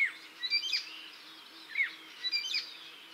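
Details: Male Blyth's reed warbler song, from a bird of gardens and forest margins known for borrowing other birds' calls and phrases: short bursts of clear whistled and slurred high notes, two phrases about a second apart with pauses between.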